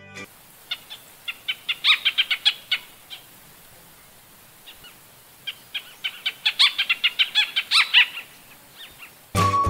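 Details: Crested Treeswift in Sri Lanka giving sharp, high chipping notes in two quick bursts of about a dozen calls each, with a burst of background music at the end.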